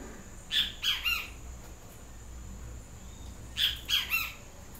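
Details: Yellow-crested great kiskadee calling twice, each a strident three-note phrase, about three seconds apart, with faint background hiss.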